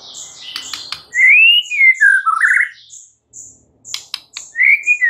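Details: White-rumped shama singing in the morning, giving a loud, flowing whistled phrase that rises then falls and ends in a burry note. Sharp clicks and high ticking notes sound around it.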